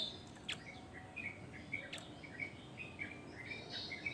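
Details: Javan grey-throated white-eye delivering a fast series of short, high chirped notes, repeated roughly four times a second in a steady chattering run, over faint background hiss.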